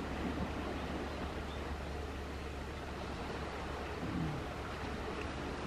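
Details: Steady broadband rumble like wind or a passing engine, with no clear animal calls.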